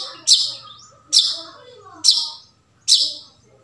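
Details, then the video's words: Forest recording of a wild long-tailed shrike used as a lure for shrikes that stopped singing: four loud, hoarse screeching notes spaced nearly a second apart, over quiet background bird twittering. "suara hutan burung cendet"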